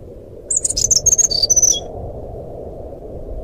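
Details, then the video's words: Flycatcher (sikatan rimba) singing in a fluting style, played as a lure to start a silent caged bird singing: a quick run of high, thin whistled notes at varied pitches, lasting about a second and a half, over a steady low rumble. "suara burung sikatan rimba nyuling"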